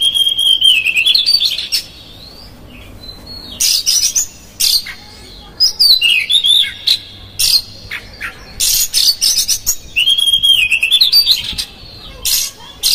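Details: Oriental magpie-robin used as a provoking lure, singing loudly with rough fill notes: clear rising whistles and looping warbled phrases broken repeatedly by short harsh rasping bursts over about thirteen seconds.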